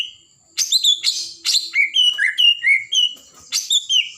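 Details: Caged White-rumped shama of the blorok type in full gacor song, meant to rouse other birds: loud high whistled notes and sweeping slurs in rapid phrases, with a short pause before a final burst.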